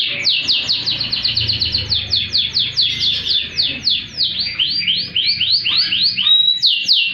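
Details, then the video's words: Canary singing loud, fast trills of rapid downward-sweeping notes repeated about four per second, high and bright, varying toward clipped rising notes near the end; used as a master recording to stimulate canaries that have stopped singing. "KENARI GACOR ATAS BAWAH || cocok buat pancingan kenari macet bunyi & masteran burung"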